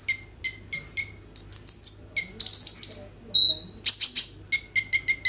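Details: Kolibri ninja sunbird song, made with an Oppo A37f, used to stimulate other birds to sing: opening series of repeated stacked chip notes, then rattling high trills, one steady whistle, and a final run of quick chips.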